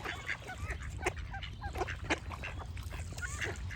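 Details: Ducks quacking in a dense chorus of short, nasal, overlapping calls, mixed with bright chirping from other birds and a steady low background rumble.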